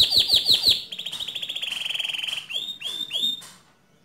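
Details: Canary singing 'ngerol nembak' to stir another canary to sing: four loud down-slurred notes, then a long, fast, buzzy rolling trill, then three descending slurs that fade away.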